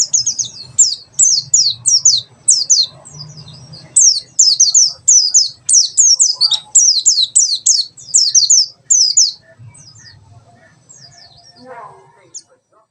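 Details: Mountain white-eye giving rapid high-pitched song: series of quick downward-sweeping whistled notes in short clusters over about nine seconds, then fading; faint low hum and a few soft background sounds.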